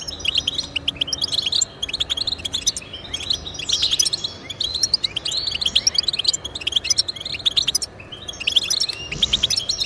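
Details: Extended European goldfinch song aimed at getting pet goldfinches singing: long stretches of rapid, liquid twittering and trills, broken by a few brief pauses.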